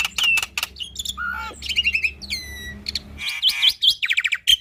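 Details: Black-winged starling in lively, varied song used to coax young or lazy starlings into singing: sharp clicks, a falling whistle, stuttered chip series, a descending rattled trill, then rapid repeated whistled notes and buzzy phrases over a faint hum.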